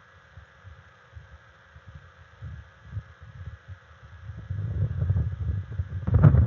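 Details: Wind rumble and a steady low hum, growing louder and gustier toward the end, with no animal calls.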